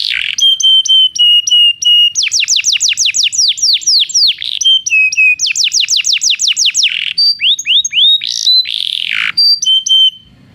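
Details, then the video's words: Belgian canary singing, used as training for non-singing canaries; bright, varied song of steady high whistles alternating with rapid trills of falling sweeps, several tours in succession, continuous and loud. "Canto de canário belga - treinamento para canários não cantores"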